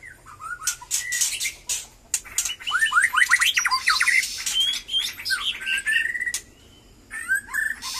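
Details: White-rumped shama of the Batu Kurau strain, just becoming lively again after moulting, singing a varied run of rising whistled slurs and quick chirps mixed with harsh rasping bursts, pausing briefly before resuming near the end.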